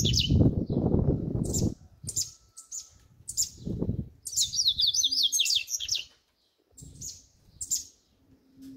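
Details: Double-collared seedeater in the "grego" song style: scattered high chips, then a quick twittering burst of zigzag whistled notes lasting about two seconds, with rustling and low thumping noise at the start.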